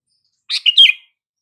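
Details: Sooty-headed bulbul call used to make silent bulbuls respond: a single bright, slurred phrase of quick chirpy notes dipping and rising, clean and close with no other sounds.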